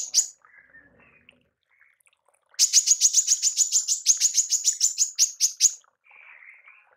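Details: Tembakan of a female manggar, a call used to train songbirds: a burst of rapid, high, clipped chips lasting about three seconds, with faint soft twitters before and after.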